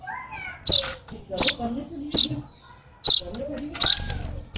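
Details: Hand-fed sparrow chick at its final feeding, excited, utters five sharp high cheeps about once per second over soft lower murmuring sounds.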